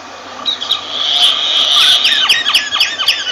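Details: A sustained rasping squawk from a myna blends into a fast series of sharp, falling whistled notes about four per second.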